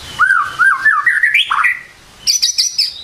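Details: A white-rumped shama sings a morning lure phrase meant to make birds start singing: a warbled whistle climbing in steps, dipping sharply, then after a pause a string of high ringing notes.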